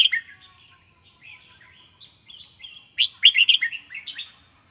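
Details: Red-whiskered bulbul gives a string of soft, bubbling notes, then a loud, rapid burst of bright warbled phrases near the end, with a constant thin high whine behind it.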